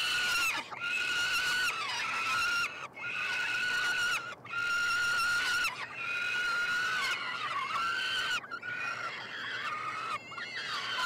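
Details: Begging of three peregrine falcon chicks at feeding time in a university nestbox in Montreal, Quebec, Canada, June 21; long, harsh, level screams about a second each, repeated in near-continuous series with brief gaps.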